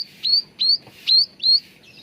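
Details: Four bright rising whistles from a cucak ranting bulbul, evenly spaced about every third of a second and ending in a softer note, from a recording meant to coax caged birds into song.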